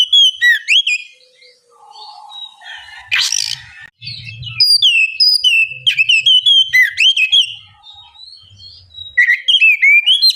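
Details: Oriental magpie-robin, called kacer, singing ngeplong to spur a lazy bird to reply: quick looping whistled phrases repeated several times a second, broken by a rough noisy burst, with a soft low hum beneath.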